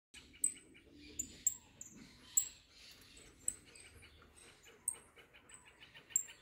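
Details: Lively saffron finch coming out of moult, giving sharp, very high whistled chips at irregular intervals over soft rapid pulsed notes in a lower register.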